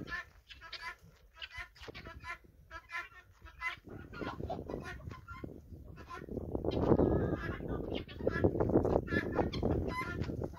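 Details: Flock of guinea fowl following a hen on a farm: a busy chorus of short, harsh, repeated calls, overlapping from many birds, with low rumbling noise growing louder in the second half.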